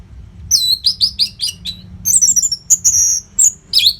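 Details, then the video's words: Orange-headed thrush, kept for training contest birds, northern Bali: quick series of high downslurred chips, then longer sweet whistled phrases mixed with trills and sharp notes, near continuous delivery over a faint background hum. "COBA SUARA MASTERAN ANIS MERAH GACOR RAPET NO JEDA INI UNTUK MELATIH FIGTHER BURUNG AGAR SELALU FIT."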